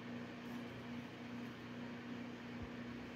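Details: Steady low electrical hum fills a small indoor room, with faint background noise and no animal calls.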